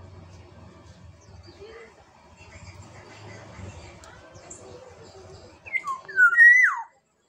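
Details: A black-naped oriole from Sumbawa whistles near the end, after several seconds of soft low background murmur: a few short notes, then a loud, flowing, down-slurred whistle that stops abruptly.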